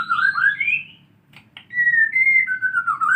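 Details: White-rumped shama learning canary song: clear whistled notes sliding up and down, a short pause broken by two soft clicks, then long smooth whistles wavering gently in pitch.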